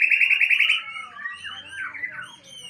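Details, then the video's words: Kept Aceh white-rumped shama singing its isian (fill-in song material): a rapid buzzy rising rattle that breaks into wavering slurred whistles, then fades quieter. "Murai Aceh # Bongkar Isian"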